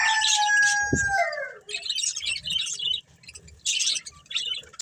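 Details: Budgerigars, a breeding pair kept as pets, chirping: a long steady whistled tone with a falling slur opens, then bursts of bright scratchy chatter in short clusters with brief pauses.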